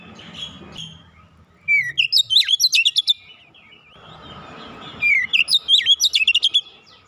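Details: Oriental magpie-robin singing as a lure: two bursts of loud, varied whistles and sharp rapid chirps, each lasting about a second and a half, separated by a pause with faint room noise.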